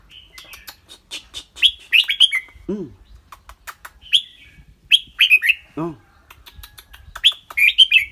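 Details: Red-whiskered bulbul singing in a clear voice, repeating short phrases of bright, slurred, descending whistles every second or two, mixed with dry clicks; twice a lower, arched, harmonic call drops in pitch between phrases.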